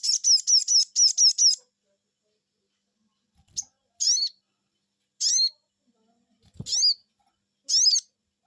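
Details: Sogon bird answering a lure call, opening with a rapid run of about ten high chirps in under two seconds, then a pause and a few separate high, upslurred 'cuiit' whistles roughly a second apart, with one low knock.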